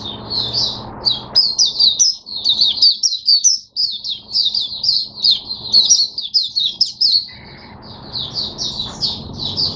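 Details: Oriental white-eye in a cage, recorded 5 May 2022, singing a long rapid, high-pitched twittering warble of short varied notes, with brief pauses and a low background hum in places.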